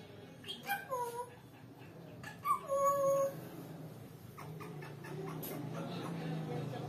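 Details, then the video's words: Captive African grey parrot, a talking and whistling pet, giving two short tonal whistles, the first falling then level, the second held steady, over a noisy indoor background with soft rustling. "The Talking African Grey Parrot"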